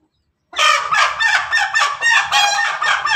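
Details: Pelung Bangkok rooster's laughing-style crow, recorded 17 May 2024: after a short silence, a loud unbroken stream of fast pulsed, cackling notes, about three per second in rhythm, with a faint low hum beneath.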